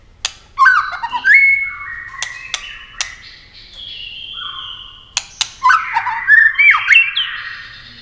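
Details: White-rumped shama singing in competition style, rapid and varied, wing-flicking and tail-flicking continuously: loud whistled and chattering phrases, sustained whistled notes, sharp clicks, pauses between bursts, a faint low hum beneath.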